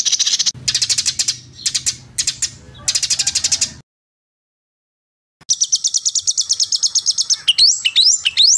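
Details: White-rumped shama singing actively and agitated, as a training recording: high, dry rattling trills in short bursts, a silent gap, then a long even trill ending in quick rising whistled slurs.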